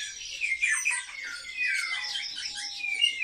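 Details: Kept sparrows, highly social birds, squabble indoors: a thick wash of high chirps and scratchy squawks, with a few downward-sliding notes standing out.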